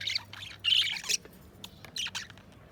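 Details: Budgerigars chirping and squawking in harsh, scratchy bursts of high notes, with a loud grating squawk early on and shorter chirps after it, over a faint low hum.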